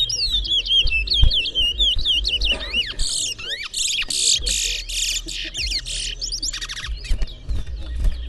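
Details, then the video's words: Caged towa towa singing in a bird singing competition in Berbice, Guyana. Loud varied whistled song with wavering slurred whistles, then dense buzzy trills and chattering notes. Low voices and crowd noise underneath. "Towa Towa Bird Singing Competition"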